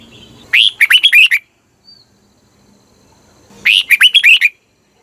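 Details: Red-whiskered bulbul from Thailand, song used for luring or to rouse other birds: two quick bursts of five or six bright, bubbly whistled notes, separated by a silent gap of about two seconds.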